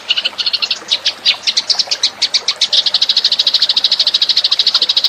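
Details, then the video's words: Eurasian tree sparrow lure call: irregular high chirps that settle into a quick, regular chatter of short notes, repeated about three times a second. "suara pikat burung gereja"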